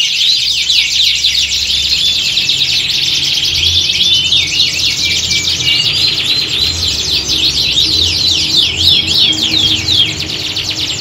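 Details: Canaries singing together to recreate a contest-ground atmosphere and prepare birds for competition; bursts of rapid, high rattling trills and chirps grow denser toward the end, with a steady low hum.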